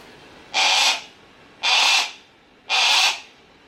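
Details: Harris's hawk kept at Kakegawa Kachoen in Japan, calling repeatedly: three loud, grating, buzzy screeches, each roughly half a second long, spaced about a second apart over a quiet background.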